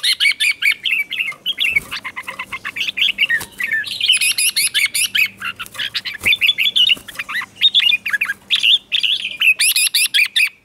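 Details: Red-whiskered bulbul in morning song practice, delivering 'chè' style singing. Nearly continuous, fast chattering and warbled notes rise and fall without a break through the whole stretch, loud and bright.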